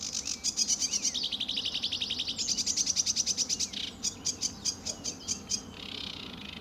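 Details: Sedge warbler song under blue early morning skies at RSPB Fowlmere, July 2013: rapid grating trills sliding between pitches, then spaced dry ticks and a final buzz.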